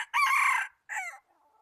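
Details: Red junglefowl used as a decoy for trapping wild junglefowl, recorded 26 January 2019: a loud, harsh crow in two parts, a long strained phrase followed by a shorter falling note, then near silence.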